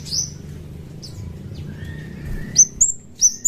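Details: Played as a lure for other birds, this chestnut-capped thrush gives a few high thin notes and a faint lower whistle, then a closing cluster of sharp high down-slurred whistles over steady low noise.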